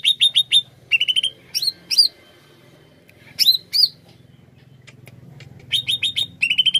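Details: Greater green leafbird, song played to pull in wild birds: rapid clusters of high chirps and sharply rising whistles, a pause of over a second, then fresh chirp trills.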